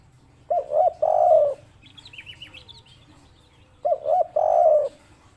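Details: Spotted dove, a local bird, with its 'kuk 3' call: two paired short coos then a longer sustained coo, repeated twice, with a faint series of higher twittering chirps from another bird between the phrases.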